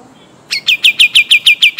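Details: Pied triller from Kalimantan, a singing bird whose recording serves as a tutor song, delivering a series of eight loud, evenly spaced descending whistled notes about every 0.15 seconds after a brief quiet start.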